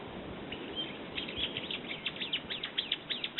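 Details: Brown-eared bulbul calling: after a quiet start, a rapid series of sharp, high, downward-sweeping notes that grow louder and closer together toward the end.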